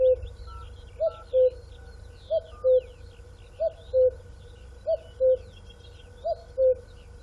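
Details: Steady series of two-note cuckoo calls, each falling from high to low, five pairs in a row, while other birds chirp and twitter faintly in the background.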